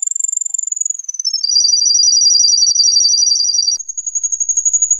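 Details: Singing canary holding long, high, rapidly pulsed rolling notes that dip slightly lower in the middle and climb back up, a continuous buzzy trill without pauses.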